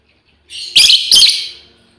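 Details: Female lovebird calling to her companions: two harsh, shrill chirps in quick succession, each a dense burst of high rasping notes that tails off, with a quiet background.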